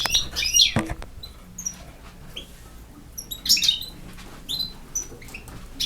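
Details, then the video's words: European goldfinch of campero type giving a rapid twittering phrase at the start, followed by scattered short high chirps and trills with clicking noises in between. "El Jilguero BiH 25"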